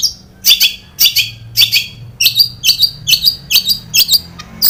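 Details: Long-tailed shrike (cendet) lure recording for captive birds, meant to provoke them into singing: harsh, scratchy high notes repeated in rapid bursts, about two per second, with faint low hum underneath.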